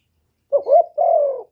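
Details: Spotted dove giving a single cooing phrase: a short warbling note rising, then a sustained smooth coo gently falling in pitch, with clean silence around it.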